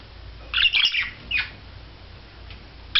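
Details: A budgerigar during courtship display gives a quick burst of scratchy, high warbling chirps, then a single squawk and a few faint clicks, with a low room hum underneath.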